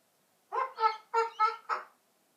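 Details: Young pet eclectus parrot, eleven months old, answering a prompt about a little birdie with five rapid, nasal, speech-like syllables in a steady burst, the room otherwise quiet.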